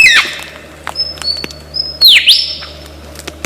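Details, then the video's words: Lyrebird, known for copying many sounds in Australian forests. A brief buzzy burst, scattered clicks and two thin high whistles lead to a bright V-shaped swoop that falls and rises into a sustained tone. "Lyre Bird Burung 1001 Suara"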